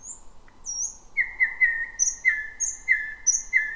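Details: Thrush nightingale singing at night from a jungle-like thicket, first of the 2026 season: high thin whistles followed by a steady series of loud piping notes repeated about every third of a second.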